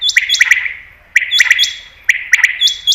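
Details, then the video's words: Common quail (batair) call for quail hunting: crisp three-note phrases of sharp, bright notes, repeated roughly once a second with ringing echoes and a faint low hum. "Batair Ki Best Awaz , Batair Sound , Common Quail New Sound For Hunting 2022"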